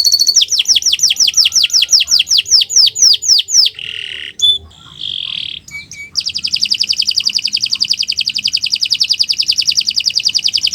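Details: Canary in morning song used as a master recording for training songbirds: a rapid series of falling whistled notes, a few short varied phrases, then a long, steady, fast buzzing trill.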